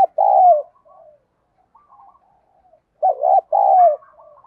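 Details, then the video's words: Spotted dove calling in the 'giọng đồng' style that provokes rivals to fight, used to lure wild doves. It gives two low coo phrases, each a wavering note plus a drawn-out falling coo, with quiet chirps between them. "chim cu gáy giọng đồng thúc đấu, dùng bẹo bổi thì hiệu quả nhất"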